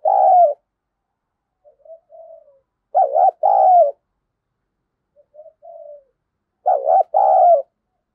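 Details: Spotted dove kept as a decoy to stir up fighting, giving low throaty two-part coos, a short note then a longer drawn-out one, separated by quiet soft coos and silence.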